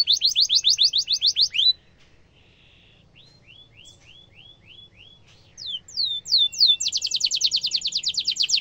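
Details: Canary singing rolling trills for young canaries to learn: a loud fast trill, a quiet pause with soft upswept chirps, then rising slurs leading into another rapid high trill.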